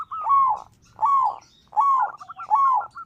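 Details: Local zebra dove (perkutut) singing, used as a lure to make other doves sing: four loud, bowed whistled coos, each with a brief high note before it, repeated about every three-quarters of a second.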